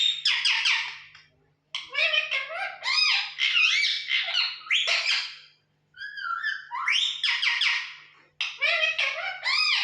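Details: Talking pet parrot producing bursts of mimicked speech, harsh squawky syllables with swooping pitch, in three phrases separated by short silences, indoors.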